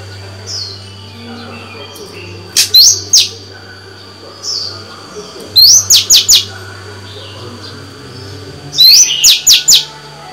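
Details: White-rumped shama female, caged, singing to stimulate males: three phrases, each a rising whistle followed by three or four sharp, high, clipped notes, spaced about three seconds apart.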